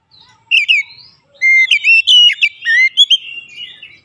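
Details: Oriental magpie-robin singing to challenge an opponent: crisp, loud whistled notes in quick clusters, a short phrase then a longer run of sliding and stepped whistles in a quiet background.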